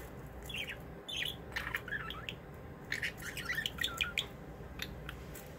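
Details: Budgerigars in a play area, several birds together. Busy chirping and warbling chatter of short squeaky notes, irregular and overlapping, with a faint high steady tone and low room noise behind.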